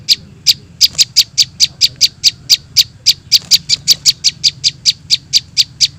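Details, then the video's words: High, piercing chips from prinia chicks, a lure sound for catching birds, pouring out in a quick, slightly uneven series of about three to four notes a second, with a soft background hum. "suara anakan prenjak bawah 100% di jamin ampuh buat pikat"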